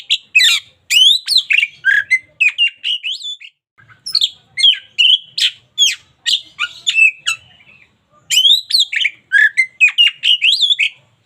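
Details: Local Oriental magpie-robin in vigorous song for daily tutoring: long dense bursts of varied whistles, sharp chirps and buzzy slurs, roughly two or three notes per second, split by two short silences.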